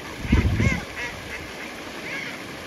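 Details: Fed, overwintering ducks squabble and nip over food, giving a short burst of harsh, nasal quacking and honking calls, then quieter scattered calls over a low rumble of background noise.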